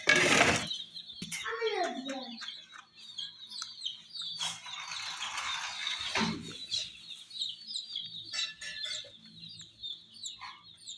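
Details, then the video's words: Chicks around miniature jeep toys give a dense, continuous stream of high, thin chirps, overlapping and repeated several times a second, with brief clattering knocks near the start and middle. ""Chicks Chirping" Sound"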